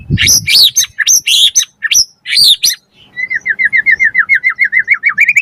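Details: White-rumped shama song meant to provoke other birds to sing: loud rapid sequence of varied high sweeping whistles and chips, then a long evenly repeated series of short rising notes.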